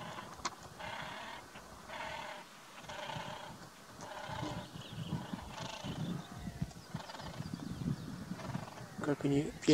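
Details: Great crested grebes in a dispute, fluffing up their feathers, trade harsh, nasal, harmonic calls in bursts about every two seconds, with a low rumble of background noise and a person speaking.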